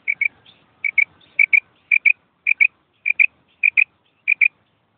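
A female quail gives short, clipped double notes, high and slightly rasping. The pairs repeat steadily about every half second against a quiet background.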